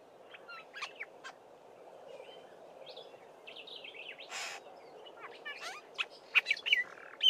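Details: Black-bellied starling song mixed with imitations of a Fork-tailed Drongo and other local birds. Quiet, scattered whistles, squeaks and a rasping burst build into louder, denser clicks and chirps toward the end, above a steady faint hiss.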